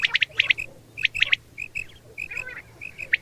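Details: Batair, the common quail, calling: quick rasping bursts of two or three notes, then softer short clipped notes at a steady pitch, with a low background hum.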